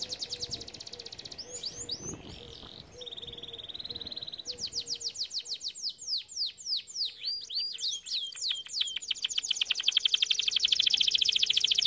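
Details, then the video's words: Training song of a canary: fast high trills, a short sweeping phrase and a steady buzzy tone, then long series of descending whistled sweeps and rolling tours, with a faint low hum throughout. "Most powerful song for training Canary"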